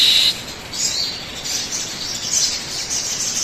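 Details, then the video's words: Sogon bird song used to coax other birds into singing; a loud, clear high note opens, followed by softer, wavering squeaky phrases over constant hiss. "pancingan suara burung sogon agar cepat bunyi"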